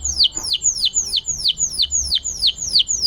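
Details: Canary singing vigorously on a training (masteran) recording used to prompt silent canaries to sing: high whistled notes, each sweeping sharply downward, repeated about three times per second in a steady chain, with faint low background noise.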